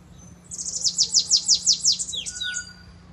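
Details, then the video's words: Bananaquit performing a running Belgian-style song with a distinctive pitiu: a quick, even string of very high descending slurs, ending in a couple of lower, drawn-out falling notes over a faint hum. "sibite meusonho na cantoria belga corrido com pitiu diferente"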